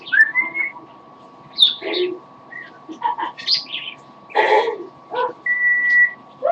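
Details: Indoor pet parrot singing a little: a rising whistle, scattered chirps and squawky notes, then a long steady whistled tone near the end.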